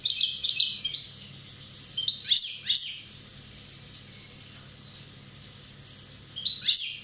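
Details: One-year-old European goldfinch from Corsica: quick twittering phrase bursts of high stuttered notes and sharp upward slides, clustered at the start, a pause, then another burst near the end.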